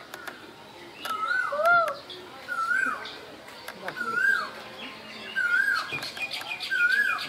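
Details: Spring call of an Asian koel in Bangladesh, a mellow rising-then-falling whistle repeated five times at roughly one-and-a-half-second gaps, with sharp clicks and faint chirping from other birds behind.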